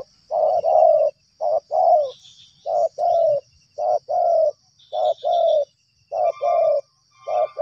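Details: Spotted dove cooing actively during luring at two sites: low, soft coo phrases repeated about once a second in steady pairs, with faint high chirping in the background.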